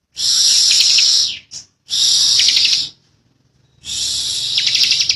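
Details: Young ciblek (bar-winged prinia) in a persistent 'ngebren' buzzing song. Three bright, high, hissing-buzzy bursts of about a second each, with a brief thin note between the first two.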